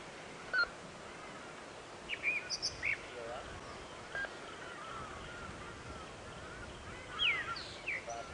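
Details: A Groundscraper thrush perched on the top branch of a distant dead tree on a sunrise safari drive in South Africa, 13 November 2016, gives short, high, clear whistled notes and chirps in scattered bursts, one a quick falling slur, over steady background hiss.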